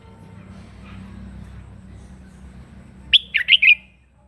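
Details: In the morning a red-whiskered bulbul delivers a short combative song for voice training: after several seconds of low hum, a crisp whistled note and three fast gurgling notes.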